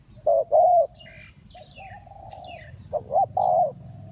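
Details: Spotted dove luring wild doves for trapping, Ninh Thuận: a few mellow coos, then a long level hum-like note and another short-long coo pair, while small birds twitter faintly higher up.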